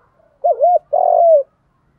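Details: Decoy spotted dove singing a provoking lure song: a wavy two-part coo followed straight away by a long, level, slightly falling coo, low-pitched and clear against silence.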